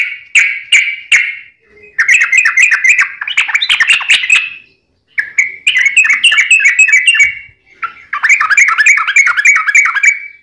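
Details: Sooty-headed bulbul giving its fast, tightly packed song with Straw-headed bulbul variations, used to train caged birds and attract wild ones: bursts of rapid warbling chirps separated by brief gaps.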